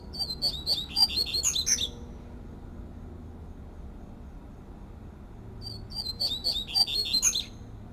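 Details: Coleiro papa-capim, the double-collared seedeater, singing its fluted 'tui tui flauteado' song in nature: two quick, high, sweet twittering phrases of about two seconds each, separated by roughly three and a half seconds of quiet.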